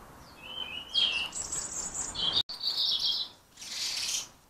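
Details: European goldfinches at sunflower-heart bird feeders in Ireland, high thin twittering and chirping notes in short bursts, with a brief break, then a fluttering burst resembling wingbeats.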